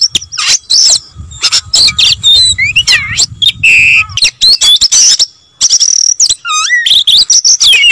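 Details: Oriental magpie-robin singing tirelessly: varied sweet whistles, long rising and dipping slurs, a low buzzy note and a wavering whistle, phrases tumbling out rapidly with scarcely a break.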